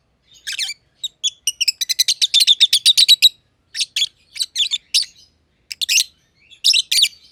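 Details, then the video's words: Two lovebirds, a green personata and a green pied personata kept together in an aviary, chirping: rapid bursts of sharp, high, broadband chirps, a dense run of about fifteen notes mid-clip, then short scattered clusters, no other sounds. "Lovebird Chirping Sounds - Green Personata & Green Pied Personata"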